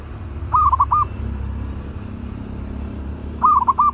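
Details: Caged zebra dove, described as fierce and ready for training as a trap decoy, gives two quick staccato cooing phrases, each a run of about five short tremulous notes at mid pitch, separated by a pause, over low background rumble.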